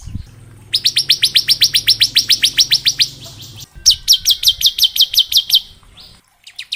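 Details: Ngebren-style song of a bar-winged prinia, used to train young birds: a long run of about twenty rapid, evenly spaced high chips, a short break, then a dozen more, over a faint low hum.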